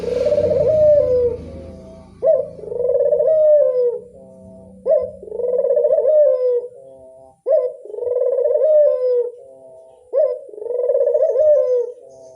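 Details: Lure call of a Barbary dove, a steady series of five rolling coos. Each begins with a sharp upward note and then holds a wavering, slightly falling tone, repeated about every two and a half seconds. A low rumble is heard at the start.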